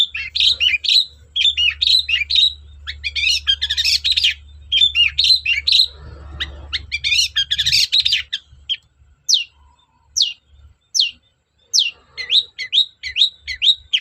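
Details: Lure song of a long-tailed shrike for prompting silent shrikes: dense scratchy chattering phrases for eight seconds, then a sparser series of sharp, clear downslurred whistles, with a low background rumble early on.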